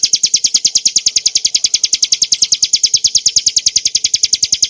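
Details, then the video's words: Hill prinia, clear song meant for training cage birds: an even, insistent chain of piercing high notes, around three per second, continuing without a break. "kicauan burung ciblek gurun untuk masteran & pancingan - suara jernih ngebren nembak"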